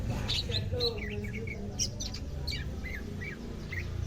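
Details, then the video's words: Greater green leafbird in captivity in Indonesia, second day of care and starting to sing: rapid short whistled notes and chirps in a jumbled sequence over low noise. "HARI KE 2 PERAWATAN CUCAK IJO, SUDAH MULAI AKTIF BUNYI"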